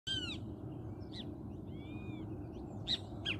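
A great kiskadee gives a loud, harsh, nasal call at the start, followed by fainter calls and thin whistles over a steady low background rumble.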